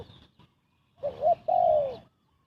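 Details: Single phrase from a spotted dove cooing fast to lure birds for trapping: a faint lead-in, then a quick wavering double note and a long, smooth descending coo, followed by silence.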